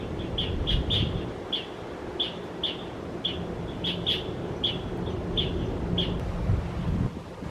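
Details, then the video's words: An Asian brown flycatcher in a tree in Metropolitan Park, Taichung City, on 28 December 2021, moving between trees, gives about fifteen thin, high chirps in quick irregular series over steady wind and low rumble. "Asian Brown Flycatcher chirping"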